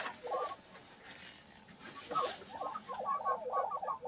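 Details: Lesser prairie-chickens at a lek on a ranch in Kansas, 22 April 2023: bursts of mid-pitched bubbling, gobbling notes, several in quick succession in the second half, over steady wind and faint background noise.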